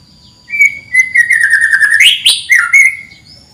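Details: Canary chirping, the "cuit cuit" sound, used as a master recording to train canaries that rarely sing; a loud, steady, fast-pulsed trill with a sharp rising note midway, then a brief return to the trill.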